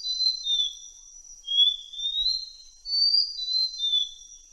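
Malaysian blue flycatcher song: long, thin, sweet whistles that slide gently up and down, strung almost without pause, over a faint steady high-pitched hiss.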